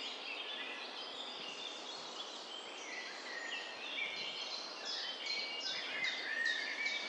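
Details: Several birds sing at once in woodland near Rosendahl, Germany, on 19 May 2023, a dense mix of high whistles and chirps with a steady hiss of background noise.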